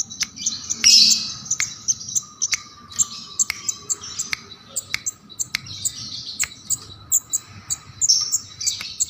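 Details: Bar-winged prinia in shrill, lively song meant for songbird tutoring: fast high chirping trills broken by many sharp clicking ticks, the notes coming in quick bursts and fading out in places, over a low background hum.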